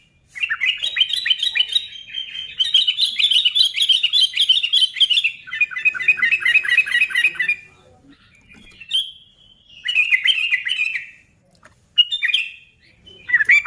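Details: ['Sooty-headed bulbul singing hard to trigger other bulbuls into song: a long rapid chattering run of bright notes for several seconds, then shorter separated bursts after quiet gaps.']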